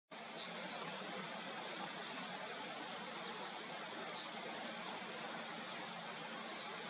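A Yellowhammer gives four brief, high, sharp ticks spaced about two seconds apart over a steady hiss of background noise.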